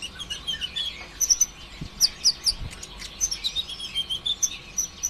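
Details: Konin ijoan song in 'konslet' style, a lure meant to trigger singing in other sunbirds: lively bursts of high chirps and sharp ticks, repeated in quick clusters, with two soft low knocks.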